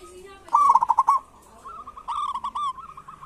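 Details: Local zebra dove, a lively kerot and bekur singer used to stimulate reluctant doves: a short, loud, rolling trilled phrase, then a longer, quieter, slightly rising bubbling trill with a faint higher chirp behind it.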